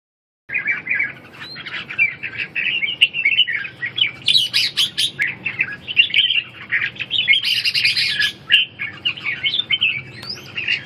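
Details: Red-whiskered bulbul in competitive 'ché' singing, used to restore a bird's lost fire and strength: dense, overlapping bright chirps and warbled phrases, with higher squeaky bursts near the middle and again later, and several birds possibly singing together.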